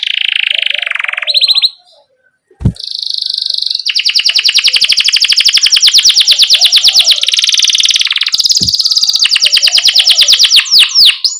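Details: Tutor song for young canaries, sung by a vigorous canary: a steady whistled note, a brief gap with a click, then long loud rapid rolling trills repeated several times a second, ending in quick rising sweeps.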